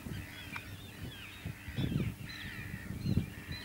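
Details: Pied avocet calls recorded on Texel in Holland, 06-07-2013: scattered fluty, slightly slurred notes and a few longer drawn whistles, with low thumping background noise throughout.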